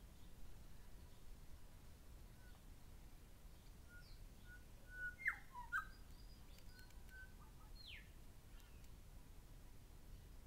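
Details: Calling pair of grey shrike-thrushes: sparse level whistles building to a cluster of sharp, loud whistled notes mid-sequence, followed by a single downslurred note, against soft background hiss.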